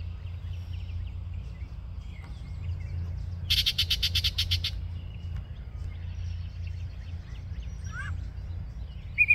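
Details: Yellow-breasted chat singing at Osborn Metropark, Huron, Ohio, on 23 May 2023 at 10:12 AM: a sudden dense, harsh rattling burst of about a second, then scattered thin notes and a short sliding whistle over a steady low rumble.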